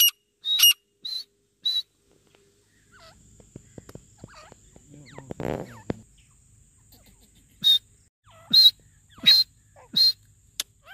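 Grey francolin giving loud, shrill, high-pitched notes in short bursts, repeated about every second, with a quieter stretch of rustling and clicks in between.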